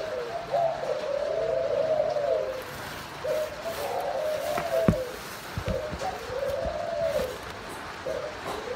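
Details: Paired Thai spotted doves, a red dragon-pattern male with a grey dragon-pattern female; low mellow coos in drawn-out phrases with a few clicks and knocks in the background.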